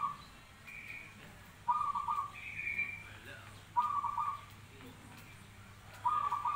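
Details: Zebra dove repeating brief trilled coos about every two seconds, each phrase a fast series of pulsed notes followed by a fainter higher tail, over low background hum.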